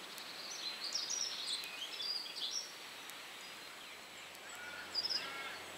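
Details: A red crossbill (Loxia curvirostra), perched high in a bare tree, calls with short, sharp, high chips in loose bursts, with a few clearer notes near the end, over a steady background hiss.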